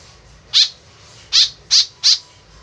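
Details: Tame white-breasted woodswallow giving a lure call: four short, harsh, rasping notes, one alone and then three in quicker succession, against a faint low background rumble.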